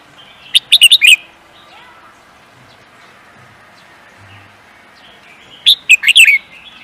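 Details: Bird singing in a song competition: two separate quick bursts of high chirped notes several seconds apart, with a long hushed pause between them and faint background sounds.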